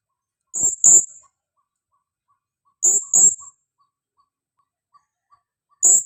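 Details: Lure call of a female blue-crowned hanging parrot: piercing high twin notes, two short shrill 'tsi' sounds close together, repeated roughly every two and a half seconds, with a third pair starting at the end; otherwise quiet.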